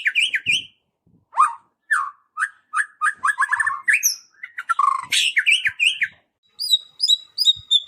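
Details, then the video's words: Murai batu, the White-rumped shama, in song meant to provoke rival shamas: loud varied phrases of swooping whistles and rapid chattering notes, followed by a run of thin, very high repeated notes near the end. "PANCING MURAI BATU BUNYI CESS PLENGG"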